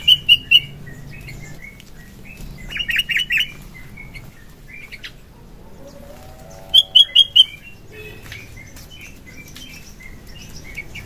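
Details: Morning song of a sooty-headed bulbul, a lure recording: sparse phrases of short bright chattering notes separated by long quiet gaps, with a soft lower warble midway.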